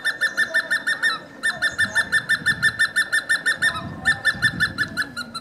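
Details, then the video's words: Hemprich's hornbill on the Wollo University grounds in Ethiopia giving rapid piping notes, about three per second, in two bursts separated by a brief pause, over low background noise. "Hemprich's Hornbill Calling and Singing"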